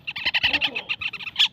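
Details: Young parakeet chick uttering a quick string of high, slightly raspy chirps, about eight per second, with brief gaps.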